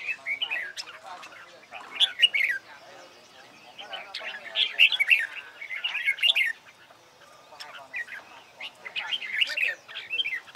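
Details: Red-whiskered bulbul singing competition-style song, described as practice for singing well in contests; bursts of bright, bubbly whistled and chirped notes come in clusters with short pauses, and the song is lively throughout.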